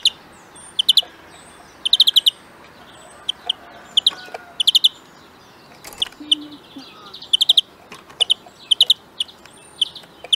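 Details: European greenfinch being trained to sing, producing repeated short rattling trills and sharp single notes scattered through the phrase, with other faint chirps in the background.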